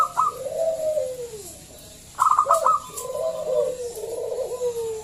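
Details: Local zebra dove, loud-voiced, used as a lure to draw other doves into singing: a burst of rapid stuttered high notes, then long descending mellow coos sliding downward, with a quiet pause between phrases.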